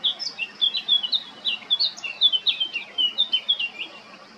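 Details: A male blackcap at Baška, Croatia, on 20 July 2022 pours out a lively, unbroken warble of high, scratchy, up-and-down notes for over four seconds.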